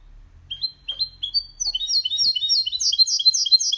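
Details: Caged goldfinch × canary hybrid male singing cleanly, a recording meant to stimulate other males and teach young birds; starts with spaced rising whistled notes, then builds into fast, dense repeated high trills.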